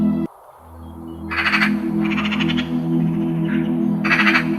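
A Eurasian magpie gives harsh, rattling bursts of chatter over a steady low hum.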